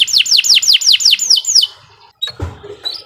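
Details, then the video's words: A canary sings for a training recording: seven quick descending whistled notes in an even series, then a pause and a faint soft thump and scrape. "Kicau Burung Kenari 123 II LUAR BIASA GACOR PANJANG"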